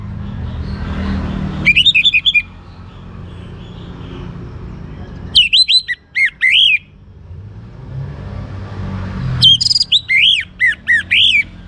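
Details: Young orange-headed thrush singing prolifically, used to coax other birds into song: three loud bursts of varied, swooping whistled phrases, each under two seconds, separated by pauses, over a low rumbling background.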